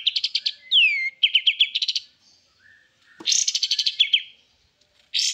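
Javan White-eye giving a rapid, high twittering song in bright bursts of quick chirps and short slurred whistles, with brief pauses between phrases.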